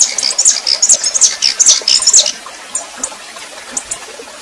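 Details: Female red-pileated finch warming up, singing in male fashion: a quick series of high, piercing chirped notes for about two seconds, followed by sparse faint chips over a steady hiss.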